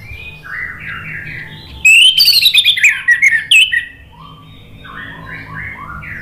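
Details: Orange-headed thrush singing, used as a lure to restart a silent bird. A loud, rapid cascade of high warbled whistles falls in pitch. Softer repeated slurred notes sound before and after it.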